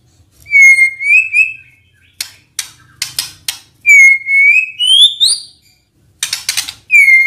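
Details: White-rumped shama stirred to sing by a lure, holding long pure whistled notes that waver and rise, interspersed with short harsh ticking bursts.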